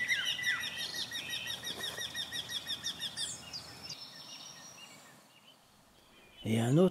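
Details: A migrant breeding Eurasian Wryneck sings from a bush on a Vosges mountain farm in spring: a rapid run of bright, nasal, evenly spaced notes for about three seconds over other small birds chirping, then a man's voice speaks.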